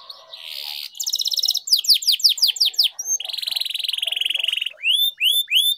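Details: Canary training song with long rolls: a buzzy burst, a rapid high rattle, sharp downsweeping whistles, a long even lower trill of well over a second, then three separated rising whistles.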